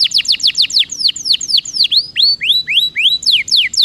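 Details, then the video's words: Lure song of a canary for prompting silent canaries to sing: rapid high descending notes, then slower upturned whistles, then a return to fast falling notes, all bright and piercing. "PANCINGAN KENARI MALAS BUNYI DIJAMIN NGEROLL!!!"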